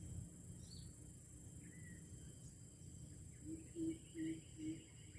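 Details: Red junglefowl from Aceh, a lure call for wild junglefowl: after a quiet start, three low hollow notes come in quick succession near the end. Faint bird chirps and a steady insect drone sound behind them.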